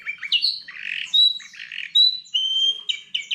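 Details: Song of a goldfinch x canary hybrid, a mix of buzzy twittered notes and clear level whistles, uneven in rhythm, with some sharper squawk-like phrases among the high chirps.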